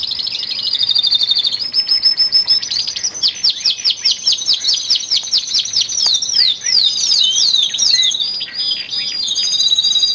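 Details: Caged male canary song in early February, part of a group of twelve males singing harder as spring nears: sustained high trills shifting into rapid repeated swooping notes and buzzy rolls, with other canaries audible in the background.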